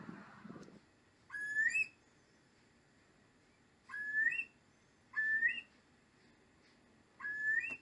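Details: Eurasian curlews seen in the wild in Deggendorf district, Lower Bavaria, Germany, a critically endangered species there: four clear rising whistled calls, each about half a second long and irregularly spaced, with a brief low rumble at the start.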